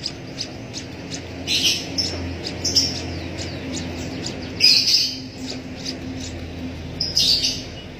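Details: Javan munia chick hand-fed from a used straw, giving scattered high chirps and several loud harsh begging bursts at intervals, with a faint low hum behind.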